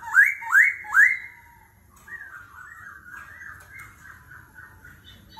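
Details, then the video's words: Laughingthrush singing in forest-voice style, competitive singing with continuously changing voice in the 'kéo thuốc lào' style: three loud, rising, ringing whistles in quick succession, then a softer run of varied warbled phrases. "Khướu hót giọng rừng - hót đấu - đảo giọng liên tục - kéo thuốc lào"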